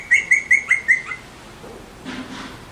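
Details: Five clipped, ringing chirps from Alexandrine parakeets in rapid succession over about one second, then near quiet with a faint soft rustle.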